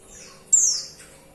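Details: A female white-eye calls to attract a male, giving a single sharp, high-pitched note that slides down and fades quickly, then quiet.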